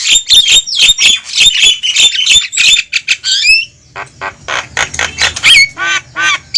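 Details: Lure call of the Javan myna for drawing wild birds to a trap: fast, rhythmic harsh squawks laced with high whistles, easing into softer, spaced rasping notes and a few buzzy phrases.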